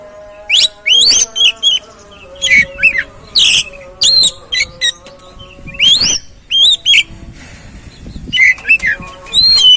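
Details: Kacer, the oriental magpie-robin, singing as a lure to prompt another bird into song: loud, varied whistled phrases with rising and falling sweeps, delivered in quick bursts separated by short gaps, with a faint steady hum behind.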